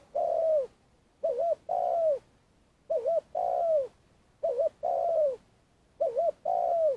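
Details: Lure spotted dove for trapping, long calling: steady cooing phrases of a quick double-inflected note followed by a long downslurred coo, repeated about every one and a half seconds with no other sounds.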